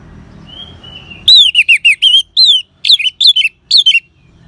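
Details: Ngeban song of an orange-headed thrush, a lure for caged birds: a soft thin whistle, then a quick string of loud high slurred notes, some paired, over about three seconds.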